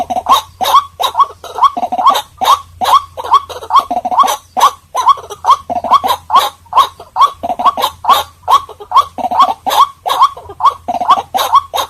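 White-breasted waterhen giving harsh, croaking calls at a steady rhythm, about two to three per second, with a faint low hum behind.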